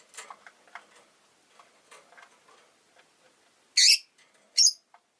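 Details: Five caged rosy-faced lovebirds by a window in winter: quiet clicking and faint chatter, then two loud, harsh, high chirps a little under a second apart.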